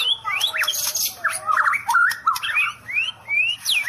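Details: Shama song made of sharp upslurred whistles and squeaky twisting notes, delivered in short bursts with brief gaps, pitch jumping between mid and high.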